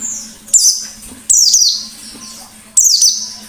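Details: White-eye, described as a lively wild-type bird, giving loud, high, harsh descending notes in short bursts roughly every second or so, each note sliding downward and trailing off; a faint low hum runs beneath.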